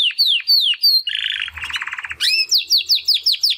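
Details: Practice song from a young male Timbrado canary after its first molt, one of two brothers bred in 2020: sliding downward whistles, a harsh buzzy rattle, then rapid repeated falling chirps.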